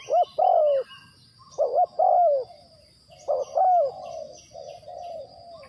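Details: Spotted dove used as a decoy bird for trapping, giving low cooing phrases around 500–800, each a quick stutter of two or three notes then a longer falling coo, repeated in bursts with short gaps; faint high insect hum behind.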